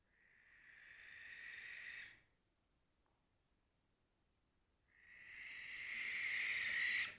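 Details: Male barn owl calling loudly to defend its territory: two long, harsh, hissing screeches, each about two seconds, separated by a short silence; the second grows louder toward its end.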